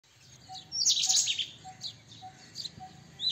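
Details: White-throated kingfisher, a tree kingfisher also called white-breasted kingfisher; harsh, noisy bursts of chattering notes, strongest near one second, with fainter scattered calls after and a steady faint ticking tone repeating every half second in the background.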